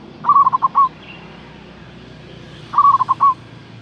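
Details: Big-voiced local zebra dove calling to lure rivals. Two quick, rolling cooing phrases roughly 2.5 seconds apart over steady low background hiss.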